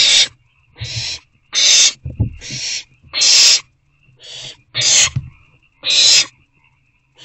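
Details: Three owlets in an owl box on the evening of 22 April 2024, around 8:35 pm, as one or two get food: loud breathy hissing screeches, each about half a second, repeated roughly every second, with low thumps and shuffling between.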